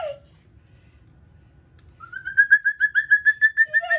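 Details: Captive Moluccan cockatoo singing at home with its owner: one low whistle, a pause, then a quick string of about a dozen bright whistled notes on a steady pitch, ending on a lower slurred whistle.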